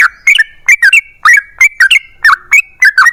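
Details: Long 'ropel panjang' song of a yellow-vented bulbul, used to lure other bulbuls into singing: short clusters of mellow, gurgling whistled notes, each cluster bending up and down, repeated about twice a second.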